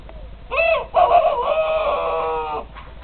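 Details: Young rooster crowing: a short harmonic opening syllable followed by a long, strained, fairly level drawn-out note lasting about a second and a half, with light background noise.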